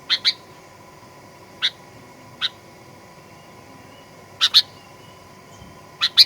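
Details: Sooty-headed bulbul, 'pikat gacor fighter' lure recording to make birds sing aggressively: sharp chirps in quick pairs and singles, a few seconds apart, against a low continuous hum.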